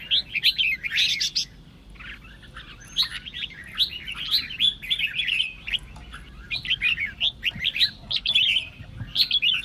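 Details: Red-whiskered bulbul song played to provoke other bulbuls into singing, in the Sông Kôn voice style. Dense run of quick warbled, chattering notes, some slurred up and down, in bursts with short pauses, faint low background hum.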